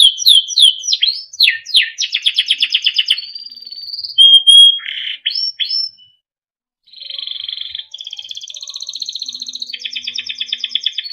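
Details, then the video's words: Singing Timbrado canary used for song training: quick falling sweeps and a rattling trill, a pure rising whistle, a brief silence near six seconds, then long steady trilled rolls at two pitches. "Small yellow bird sound - Timbrado canary singing beautiful melodic songs for training"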